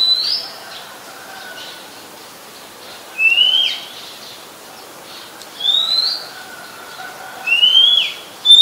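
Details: Oriental magpie-robin, a very common resident bird, singing in Ubon Ratchathani, Thailand, July 2021; sharp rising whistles spread through the recording, several seconds apart at first, then closer, over faint distant notes.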